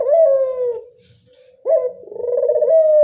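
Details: A lure call of a ringneck dove gives one falling, purring coo, a short pause, then a sharp upward note running into a long, throbbing, level coo.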